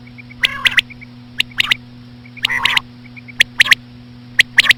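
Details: Common quail calling with slow female quail sounds: crisp triple clicks repeated roughly every second, with a harsher nasal burst between them and faint soft notes, all over a constant low electrical hum.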